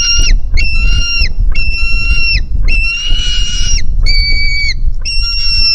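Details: White-tailed eagle chick begging at the nest on 4 July 2018, hungry and leaping to its mother; six steady, high whistled squeals, one rasping and buzzy, with a low rumble of wind beneath.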